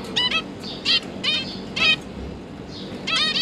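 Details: Zebra finch family of two parents and three young juveniles at feeding time, 31 October 2022: a few separate nasal, trumpet-like calls spaced about half a second apart, over low steady hum.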